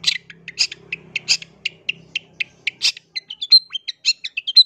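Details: Long-tailed shrike singing to provoke other shrikes: a steady run of short, high chirps over a low hum, then varied whistled and chattering notes with thin, sharp whistles.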